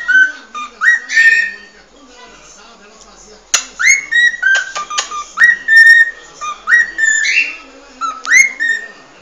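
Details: Original cockatiel song of whistled upward-sliding notes in repeated phrases, a quieter opening passage giving way to a louder, busier stretch with sharp clicks between notes.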